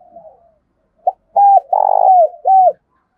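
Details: Spotted dove kept as a decoy, cooing to provoke and lure wild rivals: a brief clipped note, then an arched coo, a long rolling purr-like coo and a final arched coo, against a faint soft coo at the start.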